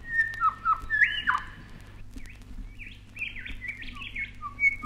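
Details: Grey Shrike-thrush (grey thrush) song recorded in Australia, from a 1968 vinyl record: clear, rich whistled phrases that rise and fall, a few notes per second, over a steady low hum.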